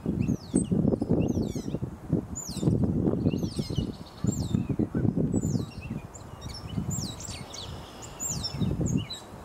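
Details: A gray catbird in Canada gives a rambling string of varied squeaky, chirping and slurred notes, heard over gusty low rumbling wind.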